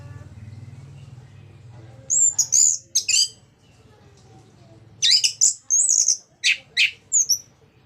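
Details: Ngeplong song of an orange-headed thrush, played to get other thrushes singing. Brief bursts of very high, sharp notes come in two bouts separated by a quiet gap, over a soft low hum.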